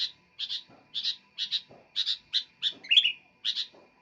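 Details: Vigorous singing from a sooty-headed bulbul: bright paired chirps about every half second, one louder slurred note near the end. Soft low knocks and a steady hum sound in the background.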